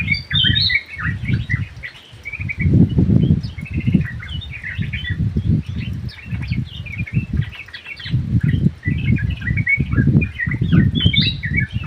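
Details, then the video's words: Sooty-headed bulbul song from inside an aviary: busy runs of short whistled and chirped notes, sometimes overlapping, heard over heavy low rumbling and fluttering background noise. "KICAU BURUNG TRUCUK GACOR"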